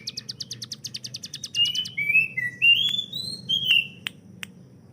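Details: Hill prinia tutor bird gives a short burst of its quick ticking 'tembakan' song, followed by several clear, sliding whistles and a few sharp isolated clicks in a quiet setting.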